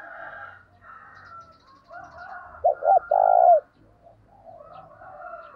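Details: Spotted dove using its lure call with an urging tone; soft, hoarse cooing surrounds one strong phrase of two brief notes and a prolonged coo that drops at the finish.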